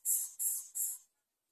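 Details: Greater coucal chicks reaching for food brought by the mother, giving three loud, rasping hisses in quick succession, then falling silent.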